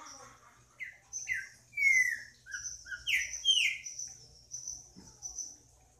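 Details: Green-winged saltator singing a phrase of rich whistled notes, several short falling slurs and one long descending whistle, delivered in a quick series over about three seconds against a faint steady high hiss.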